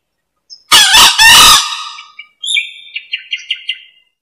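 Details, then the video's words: Green junglefowl recorded for luring: one loud, raspy split crow, followed by a series of small, high, repeated chirps from another bird. "SUARA AYAM HUTAN HIJAU COCOK BUAT PIKAT BUNYI TERUS"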